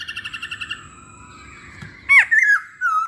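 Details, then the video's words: Masked laughingthrush lure song to draw song from other masked laughingthrushes. It opens with a fast run of rich, nasal repeated notes, then a quieter stretch. Loud downswept and rolling whistles follow. "Pancingan Poksay Hongkong"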